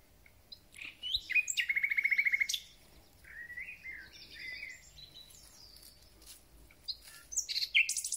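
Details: Thrush nightingale in full spring song: soft opening notes, then a loud, fast, even rattle held for about a second, followed by quieter varied warbled phrases and a few sharp closing notes.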